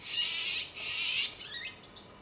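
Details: Juvenile azure-winged magpie receiving food from a parent gives long, hoarse, hissing begging rasps, two drawn-out bursts followed by a short rising squeak and fading.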